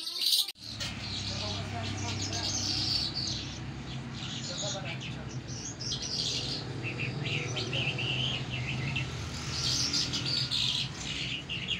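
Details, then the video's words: Lark singing in the Mashadi lounda style, an Iranian and Afghan type of song called jal: high, continuous chirps and warbling phrases over a steady low hum. "Mashadi lounda larks irani afghani jal Singing"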